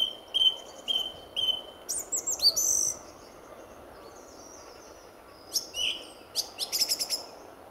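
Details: Male song thrush singing from his territory at RSPB Fowlmere before sunrise, February 2014: one whistled note given three times, then a harsh, scratchy flourish, a pause, and a stuttering run of rapid clicks.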